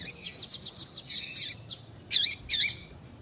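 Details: Double-collared seedeater (coleiro tui tui) for warming up a male: rapid run of high buzzy notes, then two loud sweeping whistled phrases, all high-pitched.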